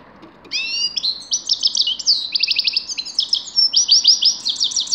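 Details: Continuous grey-crowned goldfinch song, a rapid, high, tinkling twitter of repeated trilled and buzzy notes, running unbroken for several seconds.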